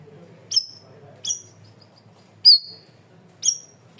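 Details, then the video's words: Cream-vented bulbul, loud and clear: four sharp, high, downward-slurred chirps roughly a second apart over a low rumbling background. "MASTERAN BURUNG CUCAK RAWIS/BAYEMAN GACOR SUARA KERAS DAN JERNIH"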